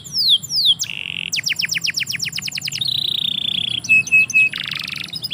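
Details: Singing canary in a yard, opening with descending whistles, then a burst of quick chips, a long steady trill and short buzzy notes.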